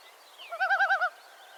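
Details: A Common Loon on the northern lakes gives a tremolo, a call usually used in alarm: a quick, wavering, laugh-like quaver of about five rapid pulses in half a second, over a faint background hiss.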